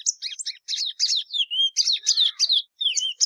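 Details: Patativa verdadeira, the plumbeous seedeater, in song: quick high chirped notes mixed with a clear descending whistle, phrases repeated roughly three per second with short pauses.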